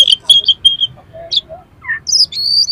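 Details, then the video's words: Oriental magpie-robin delivering rough, harsh-material song to rouse another magpie-robin: repeated clear whistles, scratchy mid notes and a rising slur, ending in a sustained high whistled phrase, with a faint background hum. "SUARA KACER FULL ISIAN MATERI KASAR-KASAR !! COCOK UNTUK MENAIKAN EMOSI KACER"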